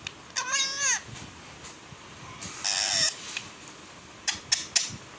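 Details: Pet parrot talking in Balochi: a harmonic, wavering speech-like phrase near the start, then a harsh noisy squawk around three seconds and a few short sharp clicks toward the end.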